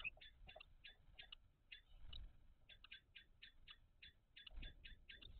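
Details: Common kestrels at a nest box on 17 May 2023, during food transfers of mice between the pair; a rapid series of short, clicking high notes, repeated many times a second with irregular gaps, over a low background rumble.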